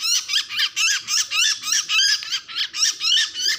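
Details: Distress calling by a bird: an unbroken string of harsh, high, wavering squawks, about three to four per second, loud and insistent throughout.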